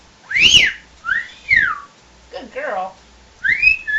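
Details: Temperamental female pet parrot, angry and scolded for growling, gives loud arched whistles, one swooping downward, a short harsh raspy growl in the middle, then a final rising whistle, in a small room.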